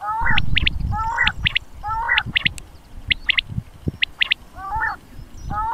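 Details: Quail lure cassette sound from Punjab, Pakistan, used when hunting Common quail. Short clipped high notes in twos and threes repeat roughly every second, mixed with lower layered croaking phrases, above a noisy low rumble.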